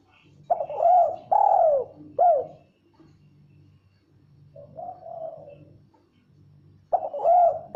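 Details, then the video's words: Female spotted dove practising its call: a burst of three loud low hooting coos, a pause with a softer muffled coo, then another loud coo, over a constant low electrical hum. "Tekukur Betina belajar bunyi KUK 1"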